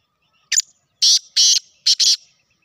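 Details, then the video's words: Black francolin, called Sindhi kala tetar, giving a loud, harsh, rasping call: one short grating note, then two long scratchy notes and a quick closing pair, all within under two seconds, against a silent background. "sindhi kala tetar vioce"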